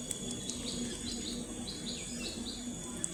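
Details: Baby ducklings in a group, waddling about, utter quick repeated high arched peeps in a tidy series of about seven notes, set against a constant hum with a few soft clicks.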